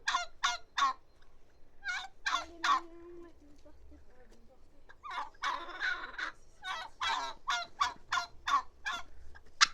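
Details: Bursts of harsh turkey notes, a quiet gap, a thick rattling cluster, then many more rapid throaty pulses.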